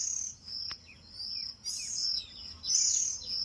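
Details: Oriental magpie-robin fledglings that have just left the nest, being fed by their mother: thin, high, drawn-out squeaky notes repeated irregularly, broken by short falling slurred chirps, one sharp click, and louder overlapping calls near the end.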